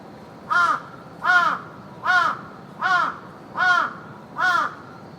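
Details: Raven in a park, with ravens flying, gives six harsh, hoarse caws in a steady series, roughly one every three-quarters of a second, over a quiet outdoor hush.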